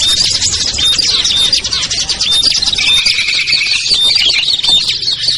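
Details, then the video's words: Lure calls for small birds, including ciblek, kutilang, trucuk, sogon and perenjak, aimed at birds reluctant to descend; a busy wall of shrill chirps with repeated thin whistled notes and a lower sustained trill near the end. "SUARA PIKAT BURUNG KECIL burcil AMPUH"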